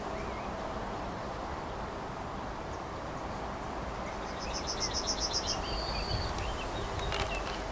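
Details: Yellowhammer song recorded on 7 June 2023: a fast run of about eight high, thin, repeated notes, then a longer, lower drawn-out note. The song is faint over steady low rumbling background noise.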